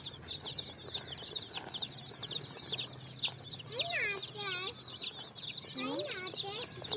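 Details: Coloured chicks on sand at evening, searching for food, keep up high falling peeps while a few louder, lower, wavering cries break in twice, over a low hum.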